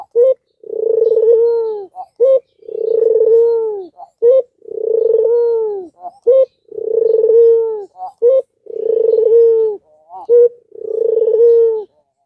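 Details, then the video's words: Albino Barbary dove calling to rouse idle doves into calling. It gives long, even, low humming coos, each followed by one or two short, clipped notes. The pattern repeats about every two seconds, six times. "Puter albino suaranya indah dan sangat merangsang puter lain yang padA MALAS bunyi"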